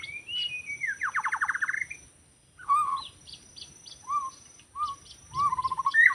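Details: White-rumped shama in the forest, recorded for bird trapping, Lombok: a whistle into a long descending-then-rising trill, a silent gap, then separate soft slurred whistles and a closing trill.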